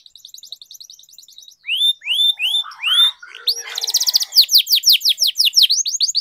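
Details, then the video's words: Canary master song for training young canaries and prompting silent ones: a soft fast trill, slow loud upward whistles, a brief buzzy roll, then a long run of rapid descending sweeps. "Canary Singing Training, Kenari Gacor Ngerol Panjang,Pancingan Kenari Macet, Masteran Kenari Paud"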